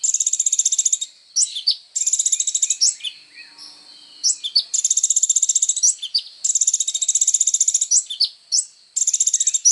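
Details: High thin sunbird (kolibri ninja) song recorded as training material for other songbirds: extended rattling trills of quick identical notes separated by clusters of sharp twittering chips.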